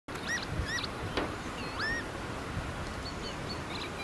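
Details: Northern lapwing calling over a young wet grassland on farmland, seen from a new bird hide on a sunny day with a hard north wind. Several slurred, swooping rising-then-falling notes with a low wind rumble underneath.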